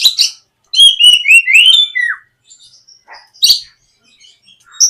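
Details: White-rumped shama lure song intended to get a young shama singing: a bright run of slurred whistles stepping upward, then a falling note, followed by quieter scattered chips and one sharp burst.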